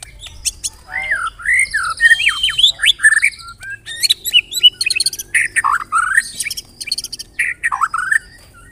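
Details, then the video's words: Lure song (pancingan) of a White-rumped shama meant to provoke singing: loud, varied phrases of swooping whistles, harsh squawky notes and quick trills, delivered in dense bursts with short gaps. "LANGSUNG CEPAT NYAMBER TAK TAHAN DIAM MURAI MENDENGAR PANCINGAN INI"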